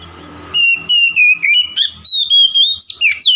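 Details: Rival-provoking song of an oriental magpie-robin: after half a second of low hum, rapid clipped whistles begin, about four per second, steady in pitch with occasional upward and downward slides.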